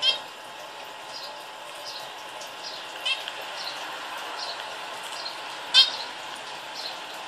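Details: Pet zebra finch calling while watching a video on a phone: short, high, nasal calls about every half second, with a few sharper chirps.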